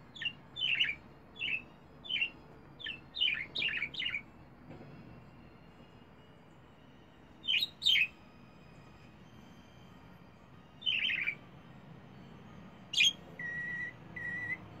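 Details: A pet budgerigar, singing to the neighbours on an autumn evening, gives bright, scratchy chirps in quick bursts, then pauses and adds short flat whistles.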